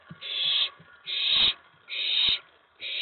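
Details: Owlet in a box at night, 19 May 2017, excited when an owl lands on the tray after a mouse delivery; long scratchy hissing screeches, about four in three seconds, with faint soft knocks.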